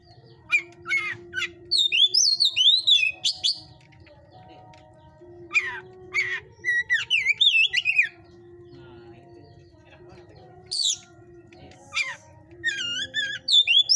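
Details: White-rumped shama, 'panas' (hot) type, kept in a breeder's cage: bursts of sharp, twisting whistled notes and harsh chips come in separate clusters between quiet gaps, over a constant low droning hum.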